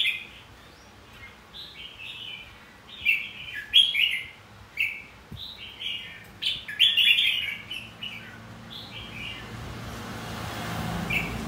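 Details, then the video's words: Fighting song of a red-whiskered bulbul, played to encourage other bulbuls to sing: scattered clear whistles at first, then louder clustered warbling phrases in the middle, fading toward a soft end. "Luyện giọng hót chào mào. Kích chào mào hót đấu."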